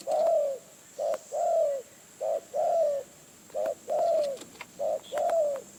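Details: Phrae, Thailand: a wild spotted dove answering a decoy repeats a steady two-part call, a brief low coo followed by a longer sliding croon, roughly once a second, clear and close, with faint clicks.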